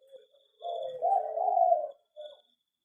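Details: Zebra dove of local stock in a mini aviary gives a soft, rolling coo phrase of about 1.5 seconds, swelling in the middle, followed by a brief separate low note; quiet surroundings with a faint high hum.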